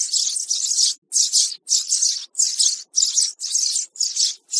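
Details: Lure recording of a young sparrow for bird trapping, made of loud scratchy high-pitched chirp bursts in a steady rhythm, about two per second, separated by brief silences.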